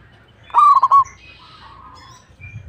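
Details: Local zebra dove (perkutut) singing vigorously, ready for contest: one loud stuttering phrase of low cooing notes, a rising note followed by quick broken coos, with faint high chirps of other birds and soft background hum.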